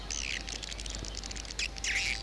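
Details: Swiftlet lure call played to attract swiftlets: bursts of high, chirpy twittering, densest at the start and again near the end, over a steady low hum.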